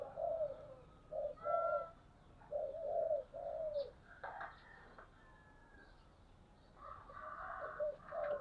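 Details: Decoy spotted dove from 2022 giving 'thúc bổi' coos: low hollow coos in separate phrases over a steady background hiss, with some higher faint notes.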